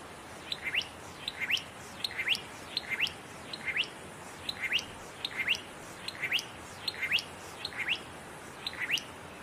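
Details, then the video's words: Satin flycatcher singing steadily from fire-damaged trees in Namadgi National Park, Australia: a long even series of paired, sharply rising whistled notes, about one pair per second, over light background hiss. "Satin Flycatcher singing"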